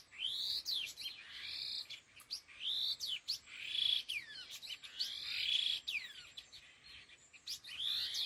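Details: Laughingthrushes (khứu lùn), a pair, repeat rhythmic phrases: arched rising-falling whistles followed by rough buzzy bursts, roughly every one and a half seconds, interspersed with sharp clicks.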